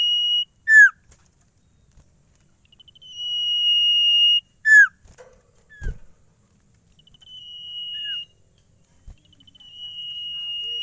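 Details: Caged Sirtu, said to sing at once without stress wherever it is carried, giving a full range of its cipow song: long steady high whistles held over a second, each led by quick ticking notes, with sharp downslurred notes and faint thumps between.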